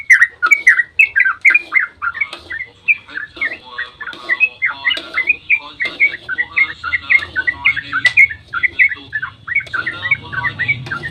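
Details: Yellow-vented bulbul pouring out its long dawn 'ropel' song to lure others to sing back: fast, jumbled liquid phrases, nearly two notes a second, overlapping and chattering, with a soft low rumble in the background.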